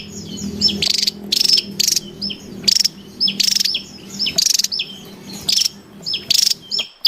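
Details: Javan tesia calling loudly in the wild: a steady series of short, sharp, high chirps and brief buzzy bursts, spaced roughly half a second apart, over a faint low hum.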